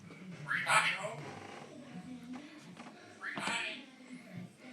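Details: Grey parrot (Psittacus erithacus) left alone indoors in a room while the kitchen is painted, calling for company: two loud, harsh, speech-like shouts about three seconds apart, rising and falling, possibly words like "howdy buddy", "I love you", "come here", over a quiet indoor hum.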